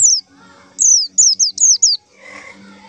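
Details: White-eye lure call used to attract white-eyes for trapping: a single thin note, then a tight series of four high, sharp, downward-sliding whistles in quick succession, with faint low rustling before and after.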